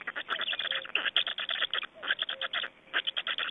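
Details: Estonian black storks during feeding and a change of adults at the nest, morning of 25 May 2012. The calls are quick, throaty stuttering pulses in bursts, with a brief lull near the middle.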